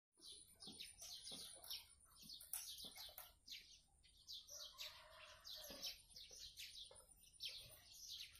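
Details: Blue-crowned hanging parrot singing 'gacor', in full voice: dense, shrill, high chirps and short squeaky notes tumble in rapid overlapping bursts almost without pause, with a faint steady high whine behind.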